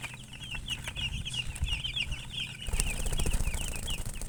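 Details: Chicks give quick, high, scattered peeps; after about two and a half seconds a louder rustling, scraping noise rises and partly covers the chirping.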